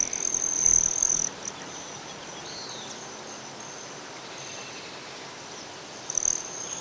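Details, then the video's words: High, shrill, buzzing trill of a Broad-tailed hummingbird, Great Sand Dunes, Colorado. One loud burst lasts about a second at the start, then quiet background, then a second short burst near the end. "Broad-tailed Hummingbird | Nature Sounds"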